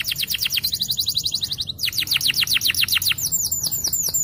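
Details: A champion yellow canary pours out its long song in rapid tours of downslurred whistles, breaking briefly before another quick run of sweeping notes and higher arching phrases.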